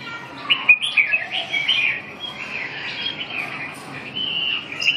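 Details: Red-whiskered bulbul singing a run of bright, warbled phrases with quick rising and falling whistles, the richest notes clustered in the first two seconds, then softer continuing chatter against a faint background hiss.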